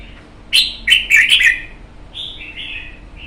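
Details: Red-whiskered bulbul, wild-caught and caged for a month: a strong phrase of four punchy, warbling notes, then a gentler rolling trill that rises again at the close.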